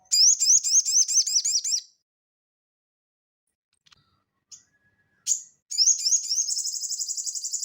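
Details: Crested jay singing vigorously in the ngeleper style, used as training audio for cage birds: a fast, high, metallic rattle of repeated notes, a silent gap with a few faint ticks, a sharp chip, then a longer rattle that fades steadily.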